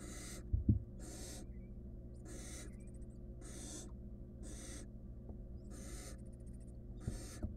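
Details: Barn owl nestling, wild, monitored in a nest box, struggling to eat a stolen rodent alone; seven loud, wheezy hisses spaced about a second apart, with a couple of thumps near the start and a steady background hum.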